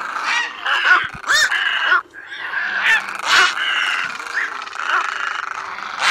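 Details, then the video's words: Black-billed little egret flock calls played as a night-net lure, the birds calling the flock and squabbling; harsh, raspy croaks overlap in a dense, restless chorus with short gaps, several birds calling at once. "Tiếng Cò Trắng Nhỏ MỎ ĐEN cò ngàng BẪY lưới đêm , Tiếng cò ngàng gọi bầy cắn đấu"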